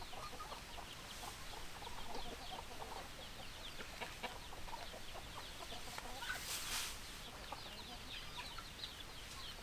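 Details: Dense clucking from a group of hens: short, choppy notes repeated rapidly by many birds together, with a brief burst of noise near the end over a constant low background hum.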